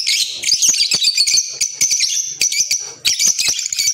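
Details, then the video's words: Green Fischer's lovebirds chattering: shrill, squeaky chirps packed high in pitch, coming in quick bursts with short breaks near one and a half and three seconds, several birds overlapping. "Fisher Love Birds Sound"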